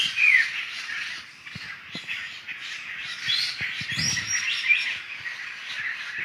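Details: A forest flock of laughingthrushes in Sumatra chattering continuously, an opening downslurred note followed by rolling harsh babble from many birds, with scattered soft knocks and rustles.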